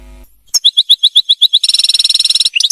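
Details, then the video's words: European goldfinch in muqnin song, a training recording for caged birds: evenly spaced high chips, then a rapid buzzy trill and brief twittered notes, after a faint low hum. "تحفيظ طائر الحسون الملكي التغريد (المقنين)"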